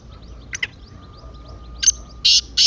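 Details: Excited partridge call meant to stir a silent partridge into calling. Brief harsh notes are followed by two loud, rough, drawn-out bursts. Faint twittering of other birds sounds underneath.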